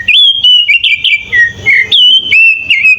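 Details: Clear whistled phrases from a sooty-headed bulbul in 'isian' song, recorded as a master for training birds: held whistles that dip and rise again, separated by short pauses.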